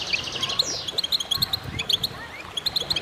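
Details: Group of goldfinches singing: sharp, sparkling chip notes repeated in quick runs, with a downward-sliding whistle near the start and other birds twittering behind.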